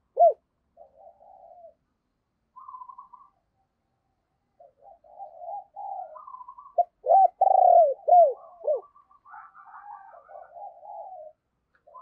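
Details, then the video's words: Decoy spotted dove calling wild doves: soft murmured coos, then a burst of loud arched coo notes, with fainter cooing from other doves around it. "Tiếng Chim Cu Mồi Thúc Và Gáy Gọi Bổi"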